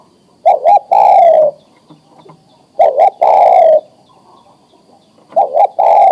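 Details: Male spotted dove in breeding condition calling for a female: clear repeated phrases of two short coos and a long falling coo, roughly every two and a half seconds, loud and close.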